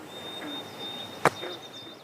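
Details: White-throated sparrow singing in June from a bank at a beaver-created wetland in Vermont's Northeast Kingdom: one long, pure, high, steady whistled note broken midway by a sharp click, with other birds and chirping frogs in the background.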